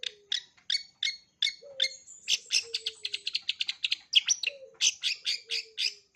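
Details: Long-tailed shrike's full mimicry repertoire, meant for young birds: evenly spaced bright chirps, then a fast rattling series of notes and more sharp chirps, with a soft low whistle in the background.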